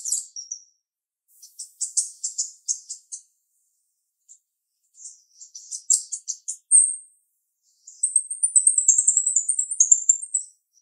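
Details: Sharp-voiced female jalak rio-rio starling: scratchy, clustered high chirps in two bouts, then a loud whistled note leading into a rapid stream of shrill chattering twitters.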